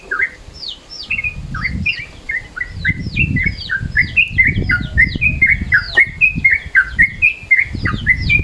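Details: Sooty-headed bulbul calling in midday mode, a recording used as a lure: a lively run of short, bright whistled chirps, some slurring down and others flicking up, tumbling along irregularly over bursts of low rumbling background noise.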